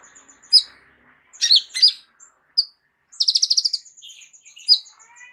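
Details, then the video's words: Kolibri ninja sunbird used as a singing tutor for other birds: isolated high chips and short twitters, a quick rattling burst in the middle, and a faint low hum beneath. "KOLIBRI NINJA MEWAH ISIAN LENGKAP COCOK JADI GURU VOKAL UNTUK BURUNG JAGOAN KALIAN"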